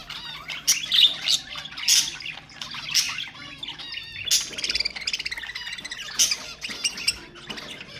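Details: Budgerigar warbling used to stimulate other birds, a busy mix of chirps, buzzy trills and squawky notes, with loud bursts near the start and a long rattling trill midway.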